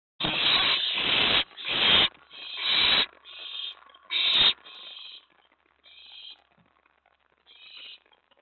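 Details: Owlet at the nest on 24 May 2017, around 1 AM, as a mouse and a rat were delivered and the rat stowed away. Loud scraping bursts mix with hissing screeches that fade into sparse, quieter calls.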